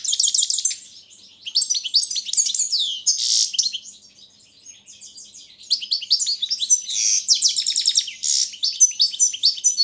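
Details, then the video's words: Balkan goldfinch (carduelis balcanica) singing for a world championship judged online: dense high twittering phrases with harsh buzzy bursts, a softer quieter stretch in the middle, then loud rapid chatter again. "Pesma štiglića 004/22 World Championship in Goldfinch Song"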